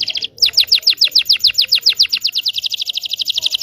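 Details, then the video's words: Long rolling canary song used as a teaching lure for young canaries: a brisk run of sharp downslurred high notes, about three per second, quickening into a tight, even, chattering trill. "KENARI GACOR NGEROL PANJANG PANCINGAN KENARI PAUD BELAJAR BUNYI"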